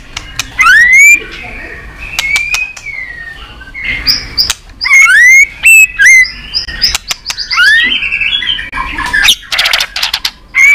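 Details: White-rumped shama singing competitively in long song strings: rising clear whistles, sharp click notes, scratchy warbled phrases and loud buzzy bursts alternating rapidly.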